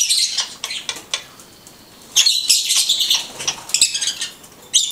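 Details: Blue-headed conure giving harsh, noisy, high-pitched squawk bursts in clusters, separated by short quiet gaps, with a faint fluttering sound.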